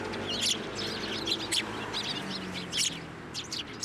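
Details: Sparrows at a Tenmangu shrine on 9 December 2023, coming to a hand to be fed; dense, overlapping high chirps and twitters from several birds, with a faint low hum.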